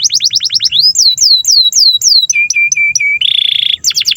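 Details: Canary song meant as a master for young or non-singing canaries: quick high trills, looping down-slurred whistles, a row of low flat notes, then a buzzy rolled phrase before rapid notes resume.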